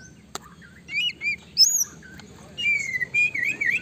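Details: White-rumped shama singing to provoke a quick response from another shama: short clear whistles, some high and piercing, followed by a wavering warbled phrase, over a low background hum.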